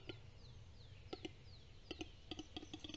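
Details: A male Western capercaillie displays at a lekking site in Estonia on 2 May 2022, giving dry, knocking double clicks in pairs that speed up toward the end, with thin, high descending whistles from other birds faint behind.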